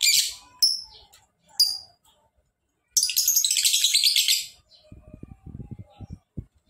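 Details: Lovebird giving a long ngekek song: a few sharp high chirps, then a dense, rapid, buzzy trill lasting about a second and a half, followed by low rustling and tapping.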